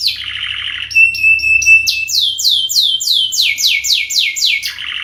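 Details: Canary lure song: a buzzy low trill, then clipped high notes, followed by a long series of rapid down-slurred whistles repeated roughly four per second, closing with another buzzy trill.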